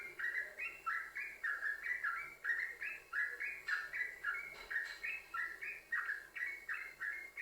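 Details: Yellow-vented bulbul (trucukan) song used as a lure to prompt other bulbuls to sing: a long run of bubbly, gurgling notes stepping up and down, each about a quarter-second, delivered in a steady unbroken chatter.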